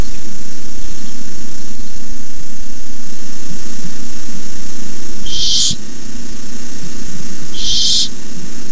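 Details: Nest camera recording of Barn owl owlets at 9:57 pm, 18 May 2015, as a rabbit is brought in by an adult; after a quiet stretch, two short breathy hisses come about two seconds apart over low hum.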